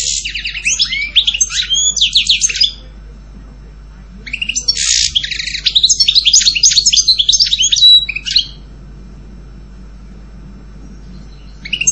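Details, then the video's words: European goldfinch singing: fast liquid twittering phrases of tinkling chirps and buzzy notes, one burst of about three seconds, a pause, then a longer burst near five seconds, with a faint low hum underneath. "Canto jilguero Goldfinch song"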